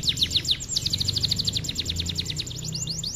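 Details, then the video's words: Domestic canary in full, energetic song, used as training material for young canaries and other songbirds: rapid runs of high, sharply rising notes repeated several times a second, shifting into faster trills, over a low background hum. "Kenari gacor bahan gantangan nih boss"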